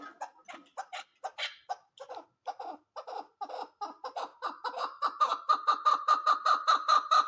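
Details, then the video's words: Female chukar partridge uttering a chain of throaty clucking notes that starts uneven, then settles into a regular, accelerating rhythm with a clearer ringing pitch in the final seconds. "Female chakor sound||Quail voice||Chukar sound"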